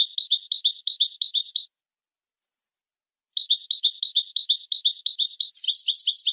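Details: European goldfinch pure song intended to teach goldfinches: a fast, regular run of bright twittering notes, a pause of about a second and a half, then a longer series of the same notes ending in a slightly buzzier variation.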